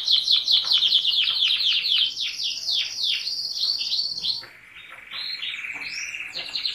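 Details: A canary sings rapid high chirps and downward-swooping notes, then drops into a lower, steady rolling trill with brighter notes above.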